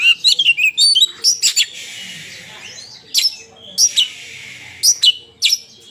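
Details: Oriental magpie-robin fighting and singing at full volume, giving sharp clusters of scratchy, high chirps in short bursts, each group a second or so apart with brief quiet gaps.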